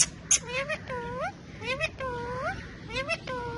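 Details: Talking pet parrots, four of them, sitting on a bike and dancing; a run of arched, nasal, speech-like calls, each rising then falling, given in short phrases with brief gaps, plus a couple of sharp clicks.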